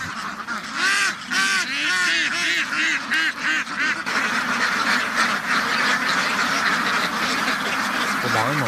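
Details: Farm ducks in a duck house: loud, nasal, honking quacks stand out in quick bursts over the first few seconds, about three per second, then blend into a busy background chorus of many ducks.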